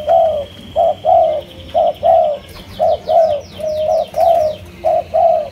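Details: Kept Malaysian-strain spotted dove cooing: a steady series of short, mellow, slightly falling coos, about one each second, some paired, with faint high chirps of other birds overhead.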